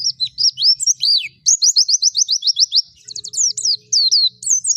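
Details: White-eye singing in forest style, high sweet whistles, some long downward swoops, then a fast even series of about a dozen repeated slurred notes, followed by quick twittering; faint low hum in the background.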